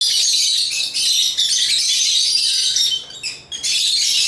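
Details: African lovebirds chirping and singing, a dense, shrill chatter of high squeaky notes running almost continuously, broken by two short pauses near the end.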